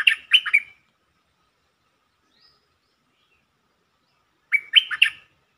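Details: Bulbul lure song played to stir up birds: a short phrase of rich, gurgling notes opens the clip, followed by silence and then a second similar warbled phrase.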